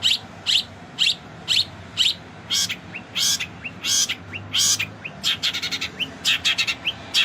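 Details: Long-tailed shrike, known locally as cendet, in a rich isian filler-song style: a steady run of sharp high chirps roughly every half second, then quicker clustered notes and short rising whistles near the end.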